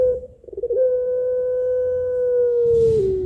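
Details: Pelung-type Barbary dove calling to a male, with a rhythmic, melodious, drawn-out voice: a few short rough coo notes lead into one long, steady, pure tone held for over two seconds that sags lower at the end.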